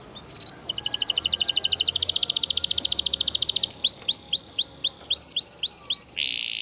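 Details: Canary song meant for tutoring canaries that have gone quiet: a long, very fast buzzy trill, then a series of arched, bouncy whistled notes, and a brief harsh ending.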